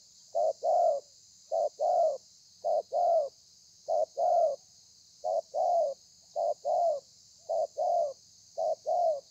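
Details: Rhythmic spotted dove cooing in the thổ pha style, 30 November 2020: eight evenly spaced phrases, each a short note then a slightly longer coo, roughly one per second, against a continuous high hiss.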